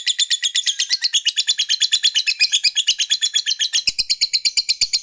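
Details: Fighter lovebird performing extended ngekek to rouse opponents, a steady high rattling chatter of quick shrill pulses, several per second, with a faint low knock near the end.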